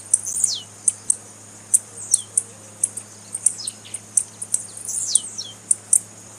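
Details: Blue-black grassquit female giving calls to stimulate males. Bright, high ticks repeat roughly twice a second alongside downslurred whistles, and a faint low hum runs underneath.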